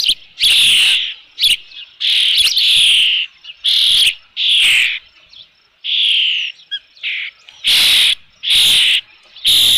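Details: Osprey calling at the Dunrovin Ranch nest as a fish arrives, 3 June 2018, early evening: loud, piercing, drawn-out squeals, each about half a second long, repeated with short gaps.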